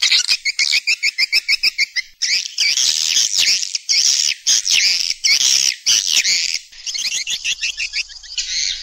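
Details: Attracting call of swiftlets used by nest farmers: a run of evenly spaced high clicking chirps, then long stretches of dense, shrill chattering twitter.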